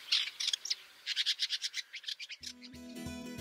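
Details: Woodchat Shrike song: high, scratchy chirps and a quick run of about a dozen rhythmic notes, cut off after two seconds by loud music; its varied song weaves in imitations of other birds and often repeats phrases.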